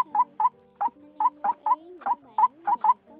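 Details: Single-note call of a white-breasted waterhen from a lure recording made for bird trapping in 2020: about ten harsh, clipped notes in three seconds, over a bed of gliding tonal hums.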